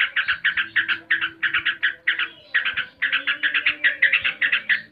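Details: Trucuk, the yellow-vented bulbul, delivering ngebren 'tembakan' shots: fast, even bursts of harsh chattering notes fired one after another with barely any pause for five seconds.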